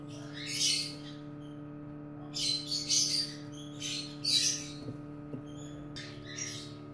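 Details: At a cockatiel nest where a chick is hatching and stuck in the egg, 15 August 2018: scratchy, raspy squawks in short groups with pauses between, over a constant low mechanical hum.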